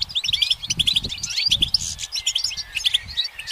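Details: Short stretch of goldfinch song from a branch: quick repeated paired chirps and liquid twitters, a drawn-out slurred note in the middle, with muffled low knocks beneath.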